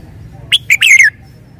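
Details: Red-whiskered bulbul singing one short, clear phrase: a sharp high note, a second brief note, then a bright warbled flourish sliding downward at the end. Faint low hum underneath.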